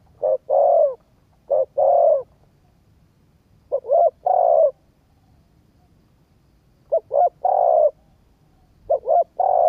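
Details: Spotted dove cooing to stimulate a decoy bird during training; low, mellow coos in five phrases, each of one or two short notes followed by a longer drawn-out coo, repeated every two to three seconds over a faint low hum.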